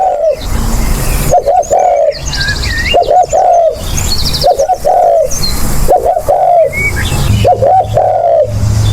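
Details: Spotted dove calling, played as a decoy lure: about six soft cooing phrases, each with short stuttered notes running into a longer falling coo, repeated steadily, with thin chirps of other birds and a low background hum.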